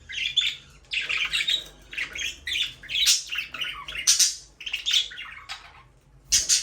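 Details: Pet budgerigars chattering steadily: tumbling runs of buzzy warbles, squeaks and clicks, briefly pausing before a final sharp chirp.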